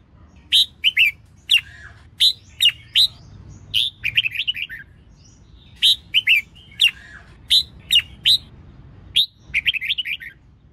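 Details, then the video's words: Female red-whiskered bulbul singing to excite males into song: a steady series of crisp chirps broken by quick twittering warbled runs, continuing through eleven seconds over a quiet background. "Tiếng chào mào mái kích trống hót líu lo"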